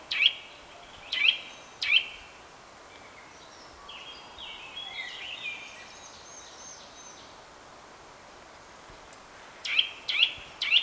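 Eurasian nuthatch giving loud, sharp whistled 'chwit' notes, three about a second apart, a pause with soft high twittering, then three more.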